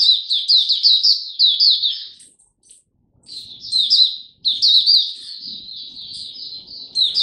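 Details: Oriental white-eye in song display, 26 November 2022: quick loud high twitter series, a pause of about two seconds with a few thin notes, then long lively chattering phrases.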